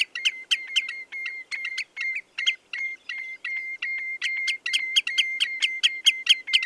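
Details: Common redshank song: a long, fast run of short, high piping notes repeated a little over twice a second in a steady rhythm, with a faint continuous high tone underneath.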